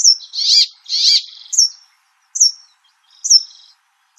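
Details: Brambling: two harsh buzzy rasps and a slurred note, followed by three short high downslurred whistles spaced about a second apart.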